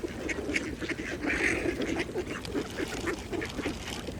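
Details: Mallard ducks at a pond while feeding: a louder drawn-out nasal quack among steady short chattering notes, over splashing and dabbling water.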